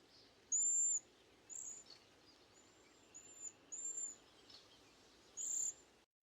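Cedar Waxwing giving thin, very high, hissing whistles: about six brief notes at irregular intervals over a soft background hiss.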